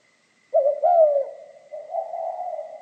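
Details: Spotted dove song in the mixed 'kim' voice style: an abrupt hoarse coo with a brief upward note, followed by a long, falling, gravelly coo and a softer burring tail.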